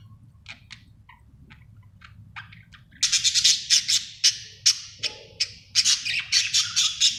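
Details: Budgerigar described as happy: sparse soft chirps at first, then from about three seconds a run of loud, sharp, rapid clicking chirps repeated in quick pulses over a low background hum.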